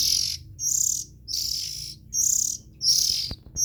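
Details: Oriental magpie-robin nestlings giving raspy, hissy high calls in a steady series, a burst roughly every three-quarters of a second, five bursts in under four seconds, with faint low background hum.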